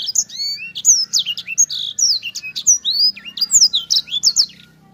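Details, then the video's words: Rolling, tightly packed sanger song: bright high whistles, quick slurred sweeps up and down and short buzzy trills follow one another rapidly. A faint low hum runs underneath. "Suara Sanger Gacor Ngerol Enak Rapet"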